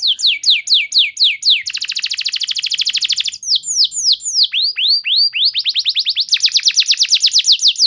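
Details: Canary lure song for training; downslurred whistles, a long rapid trill, swooping deep notes, then more fast repeated sweeps in varied phrases.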